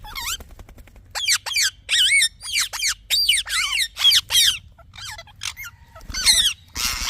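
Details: Talking parrot chirping in a rhythmic series of sharp wavering whistled notes, about two per second, each sliding down. A flat whistle and a harsh squawk come near the end.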